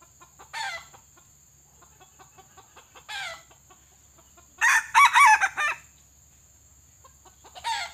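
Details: White-legged pale red junglefowl kept as a trapping decoy to lure wild birds. Short scratchy clucks come at intervals with soft ticking, then one full crow of three or four harsh arched phrases midway.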